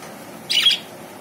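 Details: A budgerigar at Uluberia (Goruhata), West Bengal, on Saturday 29 September 2018, gives a single brief, scratchy chirp over a faint, steady background hiss.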